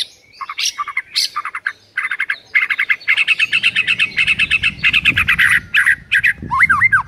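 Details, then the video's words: White-rumped shama, a morning masteran training song used to stir rival shamas into reacting: loud, rapid run of repeated chattering, slightly buzzy notes, then sweeping whistled phrases, with a faint low rumble underneath. "MURAI LAWAN AUTO NARUNG DENGAR MASTERAN PAGI HARI INI"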